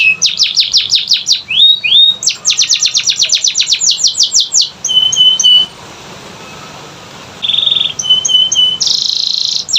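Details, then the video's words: Canary song played to prompt silent canaries to sing: rapid trills of high descending notes, a few clear whistled tones, then a sustained buzzy note and more fast trills. "Pancingan Kenari Malas Bunyi‼️Dengar Langsung Nyaut Gacor Dor"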